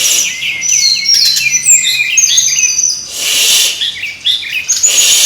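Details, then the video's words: Dense, noisy song of a brown-chested jungle flycatcher, played to make birds sing: overlapping high whistles and fast chirps, with two loud hissing surges cutting through. "suara ribut burung srdc /pancingan suara burung srdc biar gacorrrrr"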